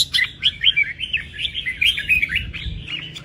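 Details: Red-whiskered bulbul kept as a pet bird, delivering a rapid run of bright, looping whistled notes and chirps, energetic and continuous.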